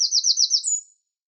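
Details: Tail of a wren's song: a rapid series of five or six high, slurred repeated notes, then a thin high whistle fading into silence.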